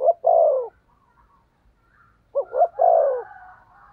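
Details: Spotted dove kept as a decoy to attract wild doves, giving mellow low coos. One long falling coo is followed after a pause by a double short note and another drawn-out coo, with faint soft notes between.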